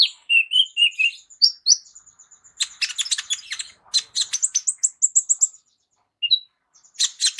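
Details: Sunbird called kolibri ninja, performing a rich fill song meant to tutor other songbirds: low warbled notes and whistles at first, then dense harsh chattering that runs into a series of clear ringing chips.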